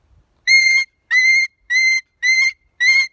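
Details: Pet umbrella cockatoo, a rescued male outdoors, giving five evenly spaced ear-piercing screams, each a steady harsh shriek of roughly a third of a second, repeated about every 0.6 seconds.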